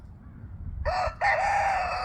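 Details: A rooster crows in a competition among roosters: a brief harsh first syllable, a quick break, then a strong drawn-out crow, rich and raspy, over a low background hum.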